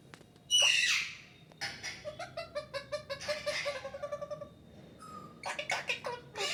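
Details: Parrot talking in a small room: a sharp opening squawk, then a long series of rapid clipped syllables in an even rhythm, ending in scratchy squeaks.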